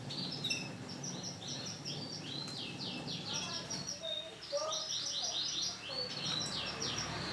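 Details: A yellow female canary in breeding condition calling to attract a male: thin, high chirps repeated in quick runs, with a few lower, softer notes in the middle, over a steady background hiss.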